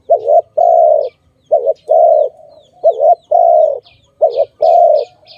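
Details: Steady dove coos connected to bird trapping: repeated pairs of a quick warbled note and a sustained hollow coo, about every second. Faint high calls from small birds are heard near the end.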